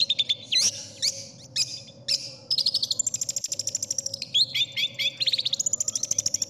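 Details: Long-tailed shrike (cendet) tutor song favoured by contest judges, full of mimicked phrases: varied high chirps and slurred whistles, then long runs of rapid, evenly repeated sharp notes, over a steady low electrical hum.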